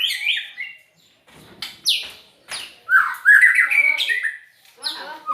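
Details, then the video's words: Brief burst of unusual white-rumped shama song: warbled notes, a pause, sharp sweeping whistles, then a rich, rapid jumble of twittering phrases. "Burung Murai Batu..Dengan Suara Aneh.."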